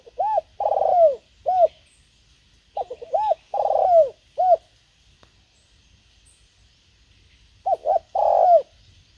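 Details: Spotted dove used as a decoy to lure wild birds: groups of low hooting coos, short notes followed by a longer drawn-out coo that falls at the end, repeated in three bouts with silent gaps.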